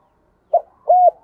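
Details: A spotted dove gives a short clipped note followed by a steady, rounded coo, a fragment of its "giọng thổ" style call.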